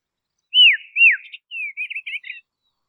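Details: Dusky robin in quiet Tasmanian woodland, a shy insect-eating bird, gives two clear whistles that rise then fall, followed by a quick run of chirpy, twittering high notes against a quiet background.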